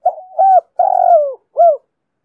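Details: A female spotted dove coos to excite males: one phrase of soft low notes, a brief coo, a slurred coo, a long wavering falling coo, then a short final coo, with no other sounds.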